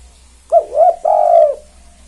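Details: Spotted dove, a lively 'kuk 2' style caller used as a lure to get other doves calling: two short low hooting notes followed by one longer drawn-out coo that slowly falls, all low-pitched and clear against a quiet background.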